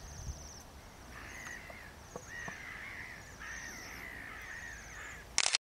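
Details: Bohemian waxwings at Liptovský Mikuláš, Slovakia, give thin, high, ringing trills in overlapping bursts, with lower, harsher calls beneath and a sharp knock at the end.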